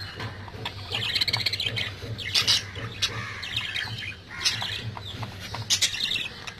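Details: Budgerigars, including babies, give harsh, scratchy squawks and rapid chirping chatter in irregular bursts over a low hum.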